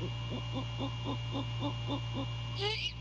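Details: At a great horned owl nest at night during January courtship, the male calling to his mate: a rapid even series of soft hoots about four per second, ending in a brief rising squeal, over a steady hum.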